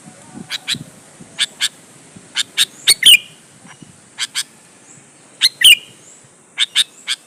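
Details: Sooty-headed bulbul singing loudly to draw other bulbuls into answering: spaced, sharp chips in clusters of two or three, with squeaky slurred notes near the middle and end, over a quiet background.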